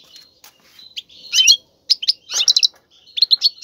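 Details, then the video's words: Caged male European goldfinch singing strongly to stimulate a female to mate; bright twittering phrases with buzzy, liquid notes, short bursts separated by brief pauses, a louder trill cluster near the middle. "مقنين يغرد بقوة💪, سوف يجبر انثى الحسون🐦 على التزاوج👫"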